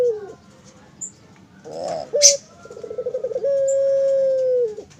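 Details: Captive barbary dove on a bird farm giving a 'mendengkur' phrase: a brief opening coo, then a rapid pulsing roll of about ten beats, ending in a long level hum; faint rustling knocks heard beforehand.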